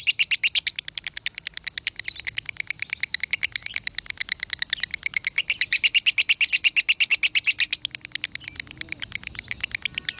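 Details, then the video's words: Long unbroken konslet song of a lovebird from a Salatiga farm, used for masteran: dense, shrill, metallic chips repeated nearly three per second for ten seconds, steady and loud throughout, almost no background. "Masteran Lovebird Konslet ASLI"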